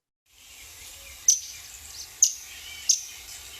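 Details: Palm warbler giving three sharp, high chip notes, each a brief dry tick about a second apart, over a soft steady hiss; the chip call simply announces the bird's location.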